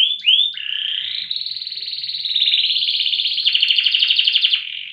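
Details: Competition-grade Indonesian loper canary, a style prized for long song duration and volume, delivering a continuous buzzy trill that steps gradually higher in pitch with rapid, even pulses throughout, after two short opening slurs.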